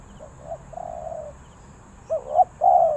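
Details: Spotted dove, Ninh Thuận, Vietnam, in the three-kuk drooping style: a brief low coo sequence, a long drawn hum followed by two rising-falling coos and a sustained final note.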